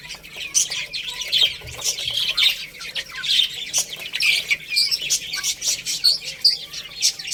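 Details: Chicks feeding on rice keep up an insistent, high twittering, short peeps tumbling over each other in waves, with ticking sounds of beaks on grain.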